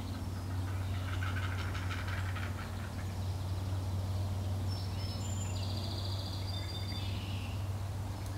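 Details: Three nearly fledged heron nestlings, still in the nest, beg eagerly for a parent to bring another meal: fast, ticking chatter of clipped notes, loudest early on, over a steady low hum, with high thin whistles later.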